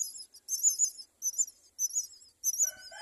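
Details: At a myna nest with four chicks: pulsed very high, hissing, quavering calls in short bursts, ending with a few lower, clearer whistled notes overlapping.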